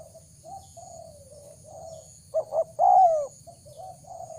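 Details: Soft, distant-sounding coos give way to one loud spotted dove phrase of two short notes and a long sliding coo, a call used to lure wild doves.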